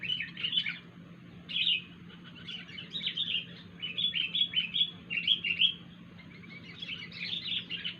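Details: Wild sooty-headed bulbul uttering strange sounds: nearly continuous bright, chattering phrases of quick slurred notes, clustering into rapid runs in the middle, with short pauses between groups; low background hum.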